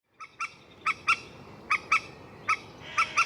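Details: Common moorhen giving short, sharp, clipped notes, mostly in quick pairs, repeated about every half second to second against a quiet background.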